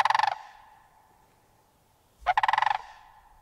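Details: Two bursts of throaty, rattling bugling from a sandhill crane, the first cut short, the second a clear rapid pulse train after a two-second pause.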